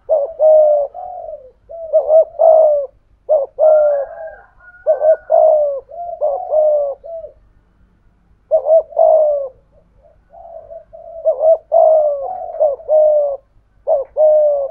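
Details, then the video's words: Spotted dove kept as a decoy bird, singing in the prized 'thổ' voice style: low, mellow coo phrases, each a short clipped note followed by a longer drawn-out, slightly falling coo. About a dozen phrases, with a brief pause midway; no other sounds. "Chim Cu Mồi/ cu gay giong tho cuc dinh"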